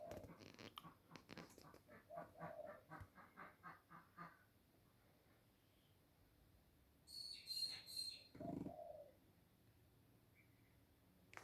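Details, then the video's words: Ducks give a quick run of about a dozen harsh, nasal calls over four seconds, then a brief high squeak and a short rustling bump; the owner says they are making a weird sound again. "Ducks making a weird sound again!!!"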